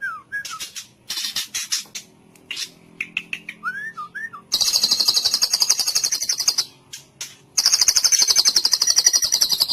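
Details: White-rumped shama singing in full cililin style: downslurred whistles and chips at first, then two sustained rapid high-pitched trills broken by a short pause.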